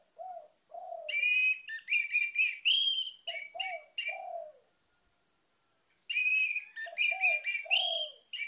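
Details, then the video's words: Rich orange-headed thrush song used to lure other birds into singing: long runs of varied high, buzzy and whistled notes, in two bouts, with lower soft hooting notes mixed in before and between them. "PANCINGAN ANIS MERAH CEPAT GACOR"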